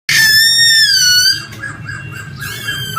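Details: Male laughingthrush singing: a loud, long whistled note with a rich, harsh overtone texture, sliding slightly downward for over a second. Softer broken notes follow, then another strong whistled phrase near the end. A low background hum runs throughout.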